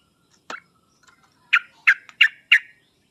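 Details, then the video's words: Sooty-headed bulbul in a master recording used to provoke a reluctant singer: one sharp note, a short pause, then four rich, burry chirps spaced about a third of a second apart. "pancingan dan masteran trucuk paling cepat di sambar trucuk malas/susah bunyi langsung nyaut"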